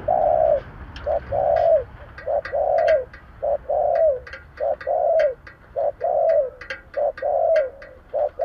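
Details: Kept decoy spotted dove gù gáy calling to lure others, a fast run of short and drawn-out low coos, about one each second, with sharp clicking taps over the top.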